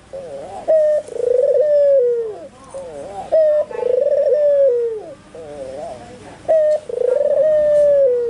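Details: Barbary dove, a white albino bird, cooing energetically for songbird tutoring: three cycles of a bright short note followed by a drawn-out rolling coo that sags in pitch, each roughly two and a half seconds apart.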